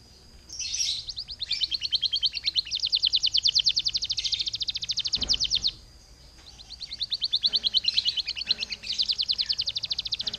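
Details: Canary song used to trigger other canaries to sing: two long, fast, rattling trills of evenly spaced notes, each several seconds long, separated by a short gap with a soft knock.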